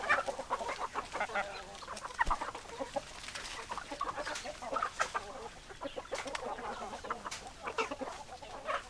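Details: A flock of hens clucking steadily, dense overlapping clucks and murmurs throughout, punctuated by scattered sharp clicks.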